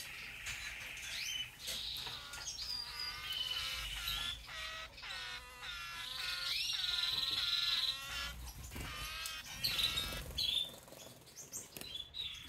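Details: Diamond firetail singing a dense stream of nasal, harmonic-rich notes, some drawn out and bending downward, delivered rapidly with short quieter breaks near two, five and nine seconds, over a faint low rumble.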